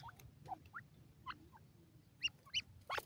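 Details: Wild black francolin chicks feeding on green grass. They give soft, short peeps that rise in pitch. Single notes come several times a second at uneven gaps over a low background rumble.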